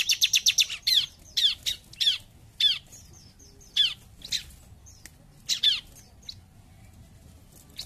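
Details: Bar-winged prinia in busy "gacor jump shoot" singing, opening with a fast burst of high chirps, followed by loud, slurred, down-sweeping notes repeated every half second or so with short gaps.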